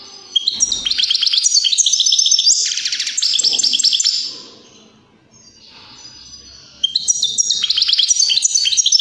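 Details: Greenfinch singing to encourage other birds to sing and breed, delivering fast twittering trills and a wheezy drawn-out note over four seconds, then a gap and a fresh burst of chirping.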